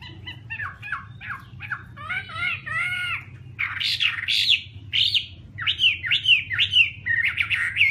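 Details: Chinese hwamei (Garrulax canorus) singing a loud, varied song: quick series of repeated harmonic notes, then arching slurred whistles and rich warbled phrases, each motif repeated several times, over a steady low background hum.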